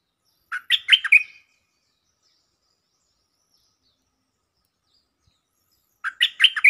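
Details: Lure song from a stripe-throated bulbul: two quick, loud, gurgling phrases of about five warbled notes each, separated by roughly five seconds of silence.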